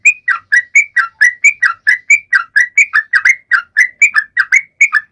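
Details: Lively sooty-headed bulbul song meant to set silent birds singing: steady rapid chirpy notes, rising and falling slightly, repeated throughout without a break in clean, quiet surroundings.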